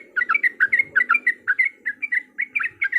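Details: Yellow-vented bulbul giving a lure song meant to provoke other bulbuls into fighting song: rapid, bubbling chatter of short, liquid notes repeated almost continuously, with a faint low rumble beneath.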